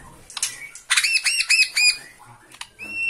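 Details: Caged Bornean white-rumped shama stirred by a rival: a quick series of arched ringing notes, harsh rasps, then a clear steady whistle.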